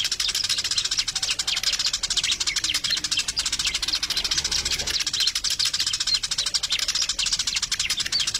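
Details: Sparrow flock calling nonstop, a thick wash of bright, quick chirps and twitters running throughout at an even intensity.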